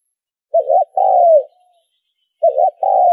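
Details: Spotted dove cooing to lure birds for trapping: two phrases, each a rippling short coo before a longer steady coo that fades downward, with a faint trailing note after the first.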